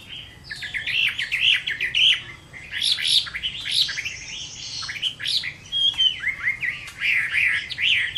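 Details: Chinese hwamei singing its fighting song in summer at midday, dense loud bursts of slurred whistles and harsh chattery notes, phrases separated by brief pauses.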